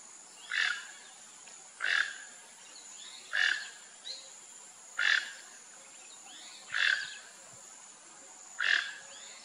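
Rufous-tailed jacamar giving sharp, high single call notes about every one and a half to two seconds, over a steady high insect hiss.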